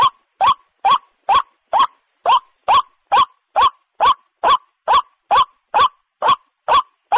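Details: A waterhen, recorded as a hunting call, gives a harsh, upslurred note about twice a second, sixteen times in a steady run, with no other sounds.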